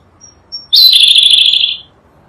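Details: Sunda blue robin, a small bird endemic to Java and Sumatra, singing a short melodious phrase as a tutor recording for songbirds: two faint high notes, then a loud slurred whistled trill lasting about a second, wavering and gently falling.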